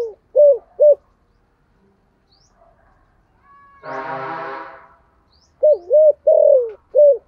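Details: Spotted dove lure bird with thổ voice: short low coos at the start, a harsh, noisy, buzzing sound in the middle, then a lively run of four hooting coos including a long falling note.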